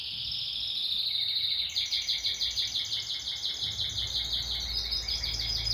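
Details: Canary song from a bird prized for good singing: a sustained high trilled roll gives way to rapid pulsed repeated notes, a fast even rhythm over a low background hum.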